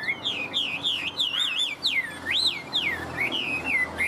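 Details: Chinese hwamei, a kept show bird said to be in peak form, pours out loud looping whistled phrases that rise and fall in quick, wavy succession, bright and high over a quiet background hum.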